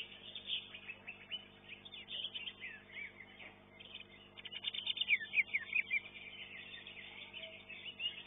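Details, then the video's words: Greater green leafbird competing in a songbird contest, placing fourth in its class, sings a busy, high-pitched run of chirps, trills and quick whistled slurs, with other birds chattering around it. "KELAS CUCAK HIJAU"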